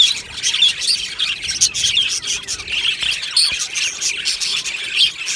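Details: Chorus of budgies from an aviary colony on 22 June 2025, a continuous tumble of chirps, squeaks and warbled notes from many birds at once, with a sharper squeaky note standing out near the middle.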